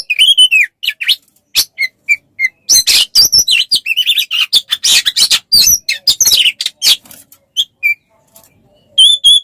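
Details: Oriental magpie-robin song played as a tutor recording for songbirds, starting with a descending whistle, scattered short notes, then a loud rapid jumble of chips and whistles, ending after a quiet gap with another whistle.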